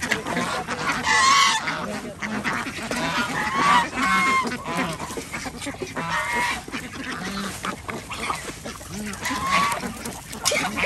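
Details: Ducks kept with chickens and geese on an organic village farm in Andhra Pradesh, India, calling during feeding; continuous crowded quacking and honking, with louder bursts near one, four and ten seconds.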